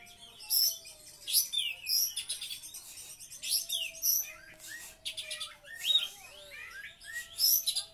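An oriental magpie-robin fires off bursts of sharp whistles, buzzy trills and chattering notes.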